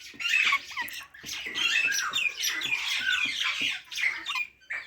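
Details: Dense, nearly unbroken parrot squawking and chattering, harsh raspy notes with some sliding tones, sounding indoors.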